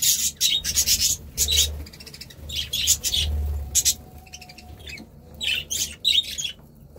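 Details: Budgerigar chatter: clusters of sharp, harsh chirps and buzzy warbled notes in several bursts separated by short quiet gaps, faint low hum behind.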